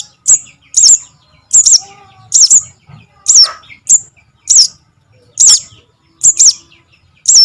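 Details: Javan cuckoo chick call, the sogon lure sound for trapping: steady series of loud high squeaky notes with a curled downward twist, about one per second, some in close pairs.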